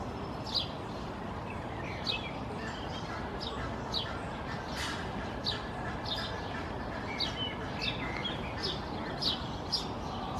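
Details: A Barnacle Goose chick grazing on a lawn with an adult directing it, in Helsinki, Finland, in June 2024: short, high, thin peeps repeated irregularly about once a second over steady wind-like rushing noise.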